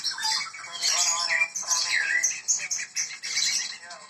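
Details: White-rumped shama of the Medan type, singing actively, from a bird-breeding setting: a dense, rich high song of warbled phrases, sweeping whistles and harsh squawky notes tumbling together without pause.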